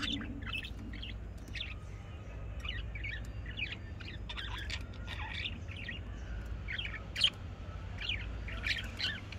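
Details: Budgerigar chatter: a steady stream of quick, scratchy chirps and short warbled notes, irregular and overlapping throughout, with a few sharper squeaks, over a constant low hum in the background.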